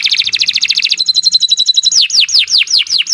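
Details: A singing canary in continuous gacor style delivers a fast rolling trill that turns into a thin high twitter. It then gives a series of loud sweeping whistles, each falling steeply, repeated about every third of a second.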